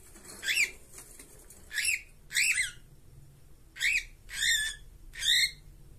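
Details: A pair of cockatiels kept in a cage utter loud, grating squawks with rich harmonics, six notes in six seconds, some paired closely and others spaced by a pause.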